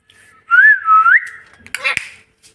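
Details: Talking pet parrot gives a loud, clear whistle that wavers and rises over about a second. A noisy harsh burst follows, then the bird says its own name.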